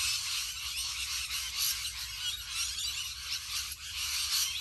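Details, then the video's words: Huge flock of rainbow lorikeets giving a continuous din of overlapping high, harsh squeals and chatter, many birds calling together with no pauses, steady in loudness throughout. "HUGE Flock of Rainbow Lorikeets"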